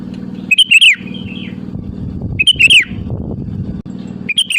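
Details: Calling to rivals as a lure, a sooty-headed bulbul gives short liquid whistled phrases with a trailing softer note, repeated about every two seconds above a persistent low hum.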